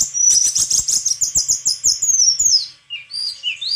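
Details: White-throated flycatcher song: a fast run of buzzy, repeated high notes for about two and a half seconds, closing with a few thin whistled slurs.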